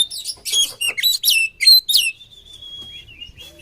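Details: Oriental magpie-robin song for training birds, a fast run of sharp chirps and whistled sweeps, then a thin sustained whistle and quieter notes.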